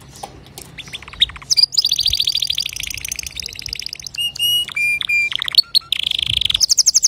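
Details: Male canary singing to teach young canaries: a varied run of loud, high trills, buzzy rattles and steady whistled notes, switching phrases every second or so, with brief pauses between sections.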